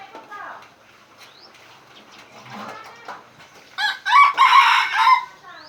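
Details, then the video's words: Red junglefowl from Aceh, recorded while luring a bird with an F1 hybrid. Soft scattered calls lead into a loud, harsh, broken crow in several bursts near the end, then a short rising note. "Ayam Hutan Aceh + F1 pikat"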